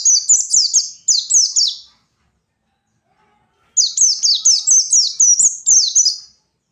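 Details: White-eye (pleci) in energetic forest-style fighter song meant to goad rival birds: two bursts of high, fast, sliding chirps, each about eight notes, separated by a two-second silence.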